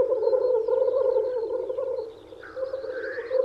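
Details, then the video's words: Lekking black grouse cocks in spring, wooing hens: steady low bubbling rookoo, then a harsh rising hissed sneeze near the end while the bubbling continues, with faint small-bird notes above. "Black Grouse Lekking"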